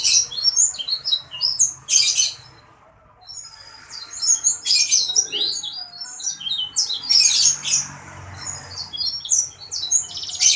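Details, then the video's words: Gacor sanger bird in continuous song: clusters of rapid high chirps and whistles broken by loud scratchy bursts, with a short lull near the start before the chattering phrases resume. "Burung sanger gacor dor !!!"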